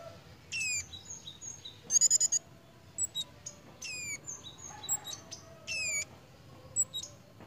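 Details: Captive Malaysian pied fantail in breeding condition, behaving playfully: high, thin squeaky notes and quick stuttering chips in short bursts, with a few downslurred whistles between and a quiet background.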